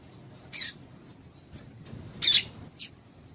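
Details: Female coleiro tui-tui (Double-collared Seedeater) calling to excite males into song: two loud, sharp, high chirps roughly one and a half seconds apart, then a shorter softer chip, over a faint steady whine.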